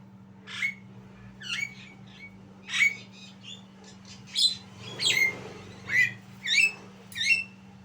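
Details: A juvenile Javan myna practising its song gives a loose series of squeaky, chirping and whistled notes, some sharply descending, spaced about every half second to second, with a constant low hum in the background.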